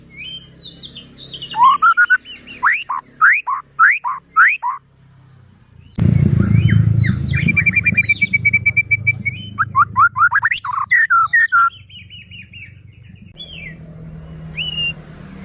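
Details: Energetic white-rumped shama song played to provoke other shamas into singing: rapid series of sharp rising whistled notes, a sustained buzzy trill and more rising notes, with a loud low rumbling noise midway.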